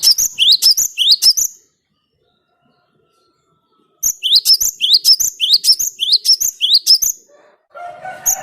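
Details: Lure song of a cinereous tit: a short series of sharp, upward-sweeping whistled notes, silence, then a longer string of about eight repeated rising notes, ending with faint lower chirps.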